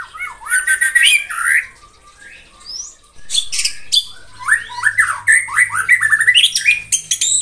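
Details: White-rumped shama delivering a provoking morning song: loud rapid rising notes, a softer gap, then runs of quick upslurred whistles repeated in a chattering stream.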